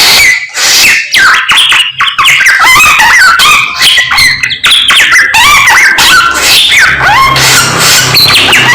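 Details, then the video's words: Samyong singing in the morning, a continuous rapid chatter of varied whistled notes with sliding rising and falling phrases, dense and energetic throughout, with faint low hum underneath. "SAMNYONG GACOR Menggemaskan DI PAGI HARI SANGAT MENGGILA MELEGENDA 1001 KICAUAN"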